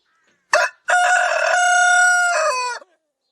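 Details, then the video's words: Rooster crowing loudly: a short opening note, a brief pause, then one long sustained harmonic-rich crow held for about two seconds before dropping in pitch at the end. The background is silent. "Rooster Crowing Loud"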